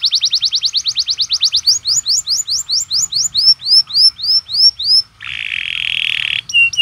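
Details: Atlantic canary training song meant to provoke other canaries to sing: a fast, dense high rolling trill, slowing into separate upward-curving chirps, then a sustained harsh buzzy note and a final short chirp.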